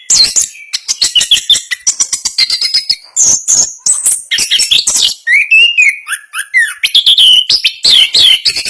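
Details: Orange-headed thrush, a national champion contest bird, in a fast rolling song: rapid runs of sharp, scratchy chirps and trills, then several clear slurred whistles around the middle, before dense chattering phrases resume.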